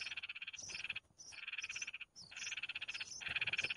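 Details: Red-whiskered bulbul chicks beg with harsh, rasping, rapidly pulsed bursts, each about a second with brief pauses between, as their mother brings them food.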